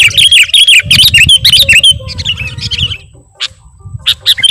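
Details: A sooty-headed bulbul sings a busy lure song packed with imitated notes. Quick slurred whistles and chirps tumble rapidly, go quiet for a moment with a faint murmur underneath, then return with bright high chirps.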